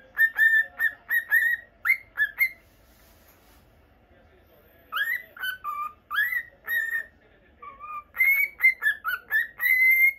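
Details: Pet normal lutino cockatiel in a home cage producing rapid whistled notes in groups, a quiet stretch of about two seconds, then more whistles ending in longer level tones.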